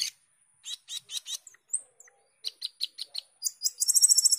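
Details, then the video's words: Asian glossy starling (cucak keling or jalak keling) singing in the energetic gacor teler style: a run of harsh, buzzy chattering notes, a brief high whistle, then rapid repeated clicks ending in a fast ringing high-pitched trill. "cucak keling gacor teler atau jalak keling gacor teler"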